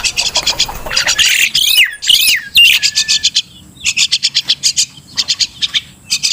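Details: Crested myna, known locally as Martinez bird: harsh, raspy chattering notes in fast clipped bursts, with a few slurred squawks near the middle and a longer run of evenly spaced rasping pulses toward the end.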